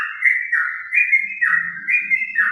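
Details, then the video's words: Sooty-headed bulbul singing in the ropel style on a cloudy day: loud, clear whistled phrases that dip and rise, repeating about every half second in a rolling, fluid run, with a faint low murmur beneath. "trucukan ropel istimewa"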